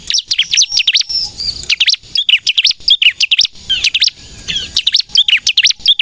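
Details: Bar-winged prinia song, prized as 'gacor' and used to lure birds and spur untrained captive prinias to sing: jerky clusters of high, steeply slurred chirps with short gaps between the bursts.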